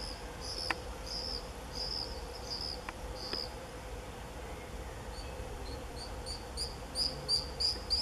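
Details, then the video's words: Common swifts screaming in early July 2018: several drawn-out high shrill screams early on, then a quickening run of short piercing screams toward the end, with a low constant hum underneath. "Gierzwaluw gekte, begin juli 2018"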